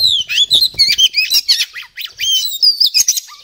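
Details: An Oriental magpie-robin in full, active song sings a rich, varied run of quick whistles, chattering notes and sweet rising and falling phrases without pause; no other sounds stand out.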